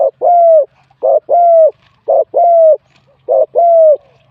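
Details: Wild spotted dove in a singing competition, with a medium-to-large voice style. Four loud coo phrases arrive about once a second. Each is a short burst followed by a longer, level, mellow coo.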